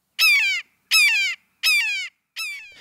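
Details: A Red-shouldered Hawk, a forest buteo of riverside woods, gives four harsh, ringing, downslurred screams, one every three-quarters of a second, each strident and forceful; no other sounds are heard.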